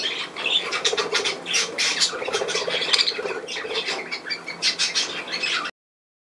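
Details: Budgerigars keep up a busy scratchy warble of overlapping squawks and short chirps, steady throughout, before the sound cuts off abruptly just before the end.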